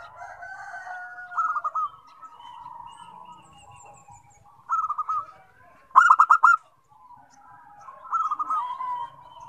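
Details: Zebra dove, locally called perkutut, singing a song that sets other zebra doves singing; bursts of rapid, staccato pulsed notes come about four times in under ten seconds, with softer cooing from other doves behind.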